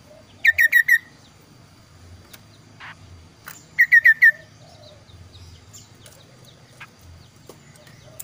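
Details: Clear, varied kaso-kaso bird song: two tight groups of four sharp, downward-sliding whistles about three seconds apart, with faint low hum and scattered soft ticks in the background.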